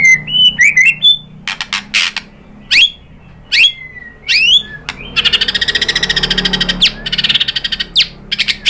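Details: White-rumped shama song used to provoke other birds to sing: a few whistles and sharp downslurred notes, followed by a long rapid buzzy trill and scattered chips.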